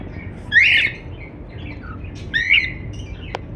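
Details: Two soft, scratchy cockatiel chirps about two seconds apart over steady low background noise, ending with a brief click.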